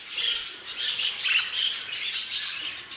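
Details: Budgerigar of a new violet mutation giving rapid warbled chirps and short whistles in an unbroken stream, the voices layered over one another.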